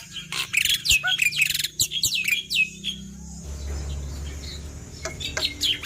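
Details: A Black-winged myna, likely a male, sings a loud, fast jumble of sharp whistles, chirps and harsh squawks in quick runs, pausing before resuming over a low background hum.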